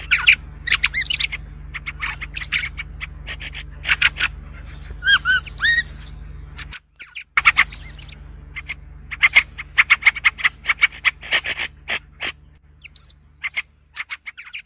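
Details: White-spectacled bulbul song: bursts of rich warbled and chattering notes with gaps, one melodious gurgling phrase midway, continuing in uneven series.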